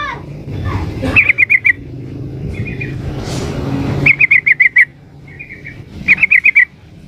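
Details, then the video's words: Female yellow-vented bulbul calling to attract a male: bursts of five or six fast, bright chirps, each falling a little, alternating with softer brief twitters, over background road noise. "trucuk betina memanggil jantan"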